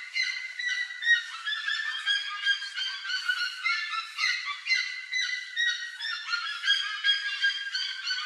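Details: Plush-crested jays (Cyanocorax chrysops) in a noisy group plundering corn from a trail, trading harsh, nasal, honking calls that overlap two or three times a second.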